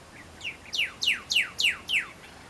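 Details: Male Pyrrhuloxia calling to his mate in the desert near Tucson: two soft opening notes, then a run of five sharp, steeply down-slurred chirps repeated about every third of a second, with a quiet background.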